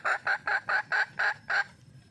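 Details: Junglefowl hen in the wild calling to attract a male, giving seven loud, hoarse, evenly spaced cackling notes about four per second, then falling quiet.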